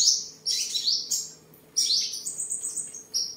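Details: Caged tame sunbird in southern Vietnam's Đồng Nai province, 23 July 2022, singing during display and sparring: two bursts of shrill, high twittering separated by a short pause, ending in piercing squeaks.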